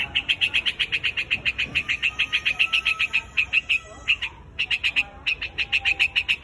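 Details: White-headed quạch mốc calling the flock with a fast, steady stream of clipped, scratchy notes, about three or four per second. The series breaks off briefly near the middle, then resumes at the same pace.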